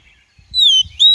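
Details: Female Oriental magpie-robin call used to stimulate and train young males' voices and to lure birds into traps: two clear, high, slightly descending whistles, the second cut short, after a moment of near silence.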